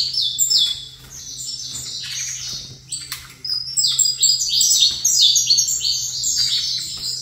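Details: Male saffron finch in song opposite another saffron finch: dense, rapid volleys of piercing, downward-sliding chirps, briefly pausing midway and resuming more intensely, with a steady low hum.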